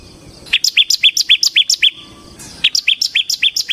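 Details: Bar-winged prinia (ciblek) in vigorous song for luring and tutoring ciblek birds: rapid, even series of bright two-part chips, about four per second, briefly pausing then resuming at the same pace.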